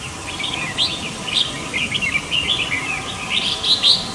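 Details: Forest flock of red-whiskered bulbuls calling in a busy stream of chattering, slurred chirps and short warbles from several birds at once, almost continuous over four seconds.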